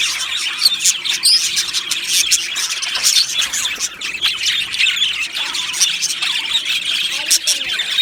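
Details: Budgies from an Australian parrot colony sing and chirp in their aviary, giving busy overlapping high twitters, squawks and clicks with no pause.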